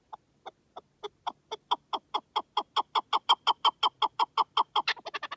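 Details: Partridge calling in the wilderness: a series of clucking 'chuk' notes starts slowly, speeds up and grows louder to about four per second, then ends in quicker, higher chattering notes.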